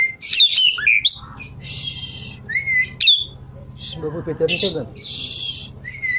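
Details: Javan pied starling in lively song, mixing sharp slurred whistles with long flat hissing rasps, plus a short lower burst of stacked, warbling notes midway and a steady faint hum underneath.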